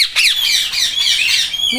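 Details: Indian ringneck parrot, green, talking: continuous raspy, warbling high chatter with wavering, speech-like inflections, run together without pause.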